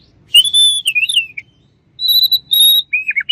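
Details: White-rumped shama song of pure, drawn-out whistles, some holding steady and some sliding downward, given in two phrases with a short pause between them.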